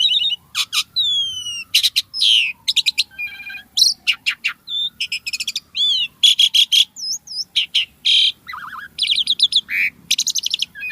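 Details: ['Javan pied starling in energetic, varied song: dense runs of harsh rasping bursts, squeaky whistles, wavering high notes and falling slurs in near-continuous succession, over a soft, slowly falling low whistle running beneath.']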